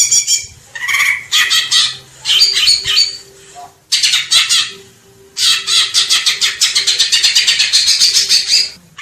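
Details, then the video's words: Greater green leafbird singing in bursts of dense, rapid, chattering and whistled high notes, broken by short pauses, with one long fast run of clipped repeated notes near the end. "Cucak ijo biar ga kondangan mulu master pakai ini bos"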